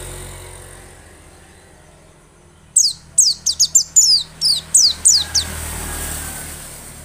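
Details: White-eye singing, used as a lure to get white-eyes singing persistently: after quiet background hiss, a brisk run of about nine high, sharply descending whistled notes, with steady low rumbling noise throughout.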